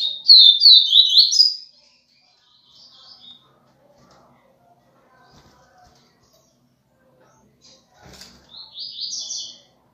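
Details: Double-collared seedeater singing in the viviti song style, two short bursts of high, rapid, sweet twittering notes, the first about two seconds long, then a quiet pause before a shorter closing phrase.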